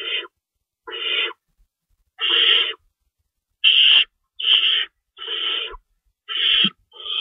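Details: Owls at their nest, 3:53 AM on March 25, 2012, during feeding with two rabbits stocked and an adult shredding prey; grating hiss-like screeches repeated in uneven bursts, about eight in seven seconds.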